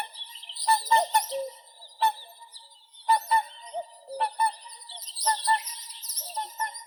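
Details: Whooper swan giving bugling, nasal honks in pairs and triplets at irregular intervals, with a few lower sliding notes and softer background calls between the loud bursts.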